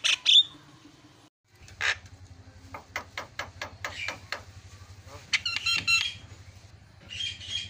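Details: Javan myna sounds meant to draw song from a quiet bird: a whistled note, then a string of spaced dry clicks building into rasping chattery notes over a low steady hum.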